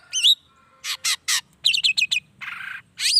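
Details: Energetic long-tailed shrike song meant to stir other shrikes to respond; a slurred whistle, then three harsh rasps, a rapid run of four rising whistled notes, a longer buzzy note and a final upswept whistle.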